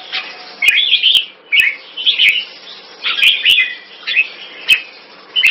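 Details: Singing contest between two caged red-whiskered bulbuls (jambul) in Singapore; short loud warbled phrases about every half second to second, separated by quieter gaps, with sharp clicking sounds in the background.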